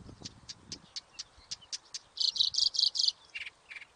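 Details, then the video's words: Nightingale singing a run of rapid, evenly spaced clicks, then a loud series of harsh buzzy notes and two lower chips, over some low background rumble. "Nightingale Sound"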